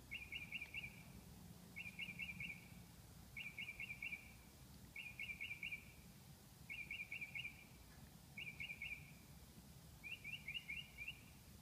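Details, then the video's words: Northern mockingbird, a male, singing at night at 2 am: a rapid series of short chirpy notes repeated in bursts about every one and a half seconds, seven phrases in all, over a low steady hum. "A song in the night"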